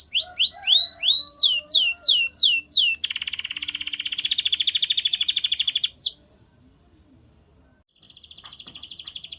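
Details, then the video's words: Canary song: a series of loud rising whistled slurs, then a long rapid buzzy rolling trill, a brief pause and a softer fast trill resuming. "Your Canary WON'T STOP SINGING After Hearing This!"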